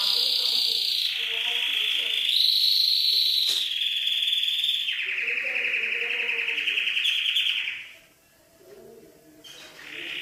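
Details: Canary song of long continuous rolling trills. Each tour holds a steady pitch before stepping up or down to the next, with a brief dip in volume near the end before the trill resumes.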